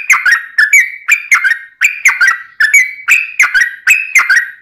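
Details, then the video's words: Yellow-vented bulbul in long, unbroken 'ropelan' song used to train birds and attract wild ones; rich, gurgling whistled notes in short clusters, each phrase sliding up and then dropping, about two phrases a second. "Kicau Trucuk Ropelan Panjang Ngelituk Tanpa jeda buat Masteran"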